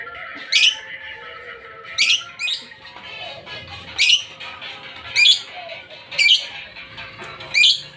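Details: Lovebird, blue ice colour variety, uttering sharp, shrill, buzzy squawks repeated roughly every second in a steady series, with faint constant tones running in the background.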